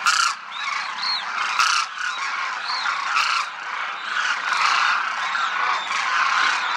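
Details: Many demoiselle cranes fly in formation over Rajasthan, India, keeping up a steady din of rolling, trumpeting croaks. A few higher, arched notes stand out above the thick chorus.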